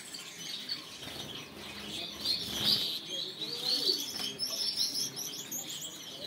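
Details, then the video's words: Yellow Gouldian finch singing soft, high, hissing and buzzy notes with thin chirps, over a busy background of other small birds and fluttering wings. "Yellow Gouldian Finch Cool Singing"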